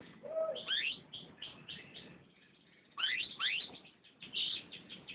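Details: Canary singing varied phrases: a low whistled note, then quick upward-sweeping chirps and short trills, pausing briefly before another burst of rising sweeps and twittering notes.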